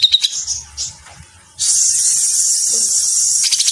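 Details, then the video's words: Grey-cheeked bulbul in lively, dense 'mesetan' song meant for training cage birds: scattered short chirps and notes, then a loud, steady harsh hiss lasting about two seconds, ending in quick pulses. "Masteran Cucak Jenggot Gacor Mesetan Rapat"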